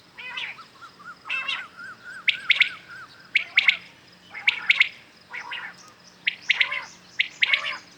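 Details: Morning calling of common quails, taken for hunting: sharp triple-note phrases recur roughly every second, and a softer string of low rising-falling whistles runs underneath early on.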